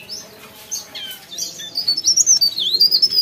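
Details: Leaf warbler singing actively: after faint scattered chirps, a loud, high, thin warbling phrase of rapid rising and falling notes begins midway and carries to the end, with a faint low hum underneath.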